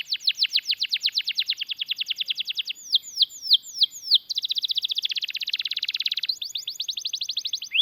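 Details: Active canary singing long rolls for training other canaries: crisp repeated downslurred notes, a few slower upward whistles, then a dense rapid buzzing roll and renewed clear trills.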